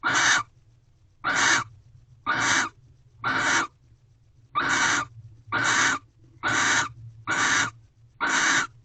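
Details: Wild barn owls mating in an owl box at a corral, sixth night, 24 February 2023 at 5:48 am: harsh, raspy hissing screeches in short bursts, nine in about nine seconds, each under half a second, over a low steady hum.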